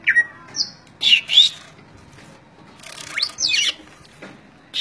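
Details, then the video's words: Beginner greater green leafbird singing: scattered sharp whistles and steep upward and downward sweeping notes, separated by short pauses and faint background hiss. "BURUNG CUCAK IJO PEMULA"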